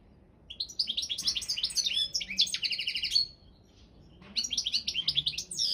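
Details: Balkan European goldfinch singing for a competition: long, busy twittering phrases mixing high chirps and buzzy trills, a short pause near four seconds, then the chatter returns.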